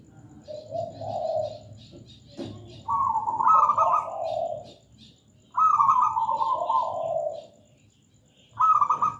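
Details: Zebra dove, a local bird, singing eagerly: repeated mellow phrases of a bubbling higher trill falling to a lower rolling coo, about every three seconds, with faint high chirps of other birds behind.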